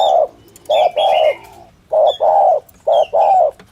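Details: Spotted dove, standard 'thổ thúc gù' cooing for trappers' lures: three pairs of round, low coos, each a brief note followed by a longer swelling one, over faint high bird chirps.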